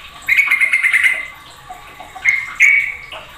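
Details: Sooty-headed bulbuls calling noisily, one bird setting off others. Two bursts of harsh, buzzy chatter about a second long and level in pitch, with a quiet gap between them.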